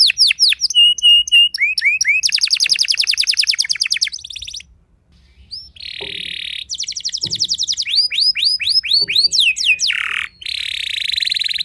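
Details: Canary singing to unsettle rival canaries: fast falling notes, long rolling trills, a brief silence, then more trills, arched whistles and a closing buzzy passage.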